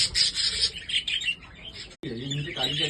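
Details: Budgerigars, described as Holland budgies, chattering with quick, high chirps and squeaky warbles for about two seconds. A man then starts speaking over softer bird chatter.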